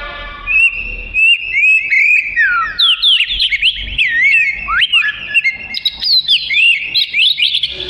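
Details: Oriental magpie-robin (kacer) in lively song as training material for other birds: a long, varied sequence of twisting whistles, sharp upslurs and rapid high twitters, delivered almost without pause.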